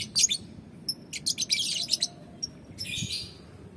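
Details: Lovebirds sunning outdoors: bursts of shrill, high, scratchy chirps and twitters, some clipped whistled notes, over a steady low background rumble.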